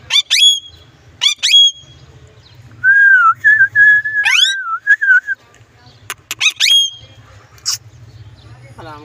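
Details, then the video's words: Parrot kept as a pet mixing rising harmonic squeaks with a run of wavering whistled notes in the middle, then more clicks and squeaky calls, recorded close with a low background hum. "Amazing parrot talking video"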